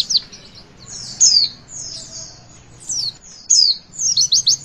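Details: Javan white-eye song used to get young birds singing: high, thin descending whistles in separate bursts, ending in a quick run of sharp repeated chirps, with low background hum.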